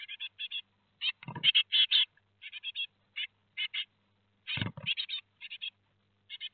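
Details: Great tit fledglings, four chicks, at a nest box in Théding, France, leaving the nest on 17 July 2020. High chirps come in short clusters, and two loud rustling thumps of movement break in.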